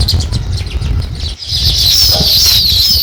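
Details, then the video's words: Sparrows chirping while starting to build a nest: dense, rapid high chattering chirps overlapping continuously, with a low rumbling or fluttering noise underneath. "Sparrow Chirping Sounds | Sparrow start to Build Nest"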